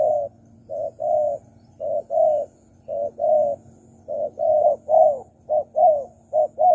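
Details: Spotted dove coos meant to attract wild doves, short and long soft notes alternating in a regular series over a low steady background hum.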